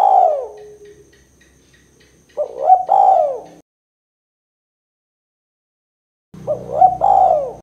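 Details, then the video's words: Spotted dove kuk 2 call used for luring; a falling coo, then two phrases of rolling and arched cooing separated by silence, a low hum beneath the last phrase. "Suara Burung Tekukur Kuk 2 Paling Gacor Terbukti Ampuh Untuk Pikat & Pancingan"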